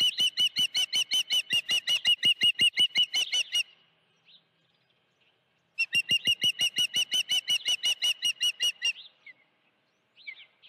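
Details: On 16 June 2019 at 3:32 PM, an osprey at the Dunrovin Ranch nest with a live fish gives two long runs of high, sharp chirps, roughly three per second, with quiet gaps and a few scattered notes.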